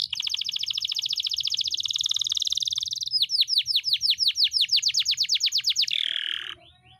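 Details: Canary's long rolling masteran song: a fast continuous trill for three seconds, then a run of loud, clear, down-slurred whistles repeated about four per second, closing on a harsh buzzy note that fades out.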